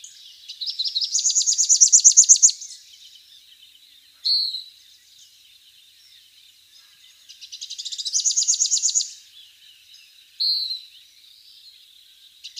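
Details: Rufous-capped warbler (Basileuterus rufifrons) song: two high, accelerating, rattling trills about six seconds apart, each followed a moment later by a single sharp, higher note, over faint background hiss.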